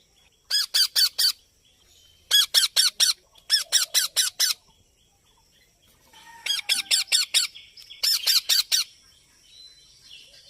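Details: Baby parrot giving natural calls: harsh, rasping squawks in quick bursts of four to six notes, with pauses of about a second between bursts and a faint high hiss behind.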